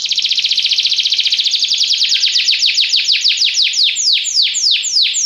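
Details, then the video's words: Belgian canary, yellow plumage, pours out a fast rattling trill that slows into broad falling sweeps, loud and clear. "canário belga amarelo se destacando no canto"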